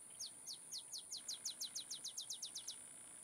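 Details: Olive sparrow singing at Laguna Atascosa National Wildlife Refuge, Los Fresnos, Texas, 30 May 2015: a run of about sixteen sharp, downslurred chips that speed up slightly, over a constant thin high-pitched insect-like whine.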